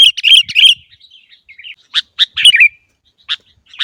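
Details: Sooty-headed bulbul sounds meant to prompt caged birds to sing: an opening burst of bubbly chirps, then soft warbled notes and several sharp, isolated chirps spaced apart.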